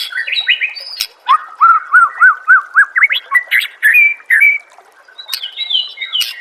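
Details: A white-rumped shama's master song for encouraging other shamas to sing, featuring a run of about ten rising-falling whistled notes at roughly three per second, followed by sweeter warbled and high whistled phrases.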